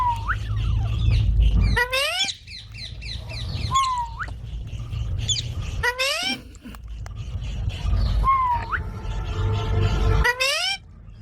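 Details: Baby parrots giving scattered clear whistled calls that rise and bend, some with harsher harmonic squawks, over a steady low rumble of background noise.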